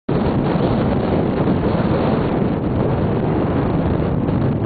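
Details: Loud, steady wind buffeting the microphone, with an engine-like rumble and no animal sound.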